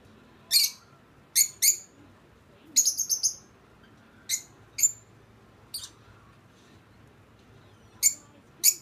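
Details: Two young pet lovebirds, a female a few months older than the male, circling each other in a mating ritual: sparse, sharp, high-pitched chirps, single or in quick pairs, about ten over nine seconds, in a quiet room.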